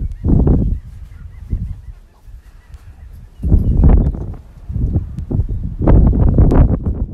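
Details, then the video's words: Male sharp-tailed grouse on a lek, competing to be the dominant male, give low, hoarse, honking bursts in irregular bouts, with faint higher clucks and low rumbling between them. "Sharp-tailed Grouse Lek"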